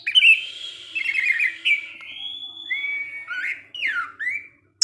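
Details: Orange-headed thrush, a caged bird, delivering a continuous ngecip ngecis teler warble: trilled and slurred whistles flowing into drawn-out tones, then dipping and rising swoops toward the end.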